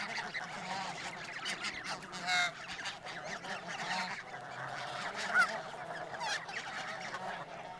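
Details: Snow geese feeding in a harvested dent-corn field in Urahoro in November 2020, during autumn migration, in a flock that included juveniles on their first journey from Russia; a dense chorus of overlapping mid-pitched nasal honks and yelps without steady rhythm.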